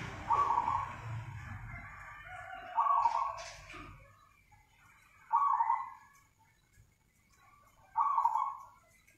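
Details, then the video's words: Zebra dove singing actively: short bubbly cooing phrases, each under a second, repeated about every two and a half seconds, with faint low background rumble early on. "PERKUTUT GACOR nganyer"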